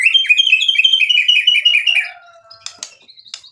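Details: White-rumped shama in lively full song packed with imitated material: a fast run of bright, chattering notes repeated about every fifth of a second, then softer whistled tones and a few sharp clicks as it trails off.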